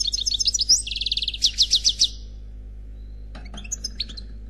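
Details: European goldfinch singing in the khalwi style, an unpaired bird: high twittering notes run into fast, evenly repeated trill bursts. A pause follows, then scattered chirps, over a steady low electrical hum.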